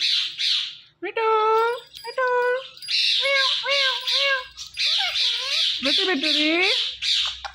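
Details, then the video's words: Talking pet parrot vocalising: harsh, nasal, speech-like syllables and wavering squawks, some in short repeated pairs, filling most of the time. "Talking Parrot Natural Sounds"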